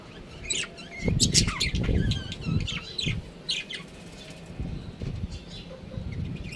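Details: Budgerigars from a breeding pair chatter in a lively run of warbled, squeaky chirps and trills, loudest in the first half, mixed with fluttering and rustling sounds.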